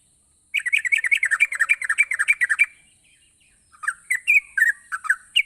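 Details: Yellow-vented bulbul singing energetically in gacor style to stimulate lazy bulbuls. A rapid chattering burst of bright notes pauses, then returns as slower, fluty, slurred chirps, with a faint steady high tone throughout.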